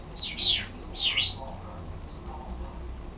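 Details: Captive African grey parrot, kept as a house pet and practising words and phrases: two loud, high chirping sweeps that dip and rise, about half a second apart, followed by quiet room noise.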